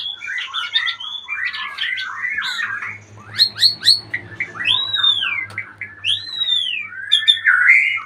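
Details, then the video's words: Retired champion magpie-robin mixing scratchy chatter and sharp high notes with long, clear, arching whistles; a low steady hum runs underneath. "Murai Badheuk Sang Juara Pensiun"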